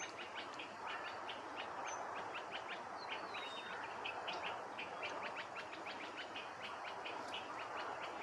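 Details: Red avadavats competing for food at Haiderpur wetlands, Uttar Pradesh, India, in December 2022, chatter with a steady stream of thin, high chips and tweets from several birds over constant broad hiss.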